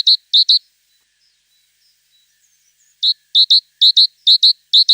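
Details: Crisp, high tit notes ring out in quick pairs and triplets, clean and loud against silence, with a long pause before the pattern resumes and repeats steadily.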